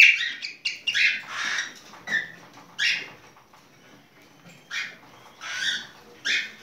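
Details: Cockatiel singing during mating, a run of harsh, buzzy chirps and screeches with banded overtones, some short and clipped, others drawn out, separated by brief quiet gaps in an indoor setting.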